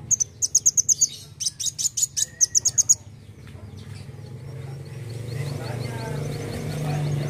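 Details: Kolibri wulung sunbird singing vigorously: quick repeated series of piercing high chips, two runs in the first three seconds, followed by softer faraway chirps as low-pitched background rumble grows louder.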